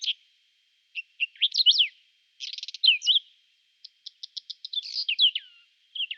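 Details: Spring song of a Whinchat, April 2020, Nikon Coolpix P1000: brief chattering phrases with sharp upslurred and downslurred whistles, a rasping trill, a row of evenly spaced ticks, then a scratchy warble.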